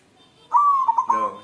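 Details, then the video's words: Local white zebra dove cooing while looking for a mate: a single short phrase of a steady hollow note, then two rapid stuttered pulses and a final held coo with a rougher, fuller tone. "Perkutut putih galau mencari jodoh"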